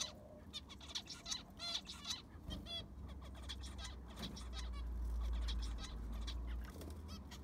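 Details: Aviary zebra finches during sand replacement: a quick run of nasal, buzzy beeps in the first half, then fewer calls as a loud low rumble swells and masks the rest.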